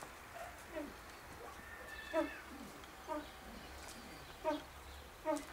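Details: Himalayan monal (Lophophorus impejanus) at a pheasant breeding farm gives five short, harmonic, mid-pitched calls with a slight downward slide, spaced irregularly about a second apart, over a faint background hum.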